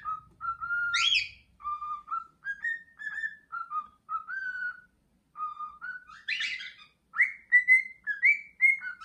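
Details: Male pet cockatiel singing energetically while striking a wing-spread pose indoors: a string of clear whistled notes around mid pitch, some rising and some falling, with a few brief harsher chirps mixed in, separated by short pauses.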